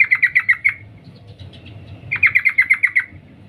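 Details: Female sooty-headed bulbul calling the male: two runs of quick, sharp 'cuk' notes, about six then nine, separated by a short pause, over faint low background hum.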